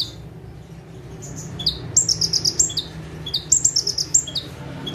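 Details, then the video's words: Ciblek or prenjak tebu, the bar-winged prinia, sitting still and singing in full bursts; after a quiet start come two runs of rapid high piercing trilled notes, with a low continuous hum underneath. "KONIN GACOR FULL TEMBAKAN - CIBLEK / PRENJAK TEBU"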